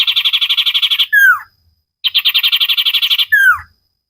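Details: Common iora (cipow sirtu) on a cage-bird training recording: a fast run of about a dozen evenly repeated notes, then a loud downslurred whistle. The pattern repeats twice.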